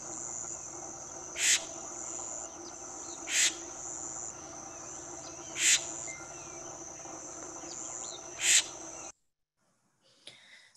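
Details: Florida scrub-jay sentinel perched high in a scrub oak gives a calm alert call for its group: four short, harsh, scratchy bursts about every two seconds against constant cricket trilling before the sound cuts off.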